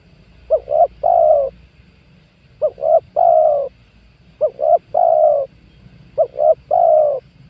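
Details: Lure recording of a spotted dove for catching wild doves, 2022: four phrases about every two seconds, each a short double coo leading into a long, slightly falling coo.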